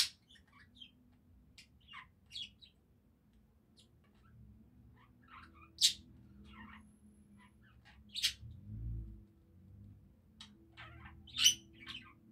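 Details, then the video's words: Soft budgerigar chatter: sparse squeaky chirps and short scratchy notes, with a few sharper clicks spaced several seconds apart against a quiet hum. "Пение воонистых попугайчиков"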